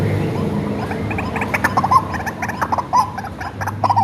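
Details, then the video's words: Hand-raised captive white-breasted waterhen used as a lure call: a few harsh croaking bursts in the second half, with a steady low hum throughout. "SUARA BURUNG RUAK-RUAK ASLI RAWATAN DARI KECIL MASTERAN TER AMPUH"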